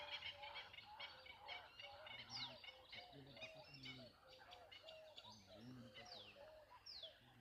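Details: Birds at Lonar Lake chirping: many overlapping high, rapid twitters and tweets, with lower whistled and warbled notes, and several sharp descending squeaky notes near the middle and the end.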